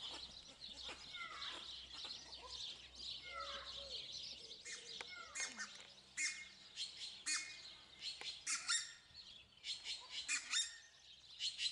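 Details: Red-breasted geese at a zoo in Drôme, France, give shrill, squeaky, falling yelps that overlap in a busy flock chorus, over dense high chattering from many other birds.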